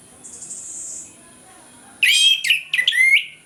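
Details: Orange-headed thrush singing its loud ngeplong morning song, used to coax lazy birds into singing; after two quiet seconds, a burst of bright, sweeping whistled phrases with steep downward slurs, over a faint high hiss.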